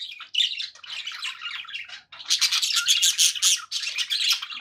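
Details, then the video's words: Happy pet budgerigars chattering indoors: dense scratchy warbling and squawky chirps, with a short pause near two seconds before a louder burst of overlapping chatter. "happy budgie sounds"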